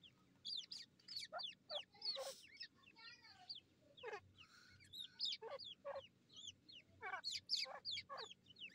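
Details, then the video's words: Bred grey francolin chicks of Dahkhni and Irani type fighting: loud, insistent high squeals and sweeping chirps, often rising then falling, come in rapid clustered bursts with brief gaps, some overlapping. "Dahkhni teeter bachy fighting ✓ buttifull fighting irani teeter ky bachy"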